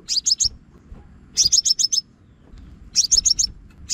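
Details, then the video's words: Scarlet-backed flowerpecker calling, from a Vietnamese trapping lure: three clusters of four or five piercing, high, downward-sliding tick notes, spaced about one and a half seconds apart, with soft low background noise. "Tiếng Chim Hút Mật Xác Pháo Mồi Dùng Bẫy Loa"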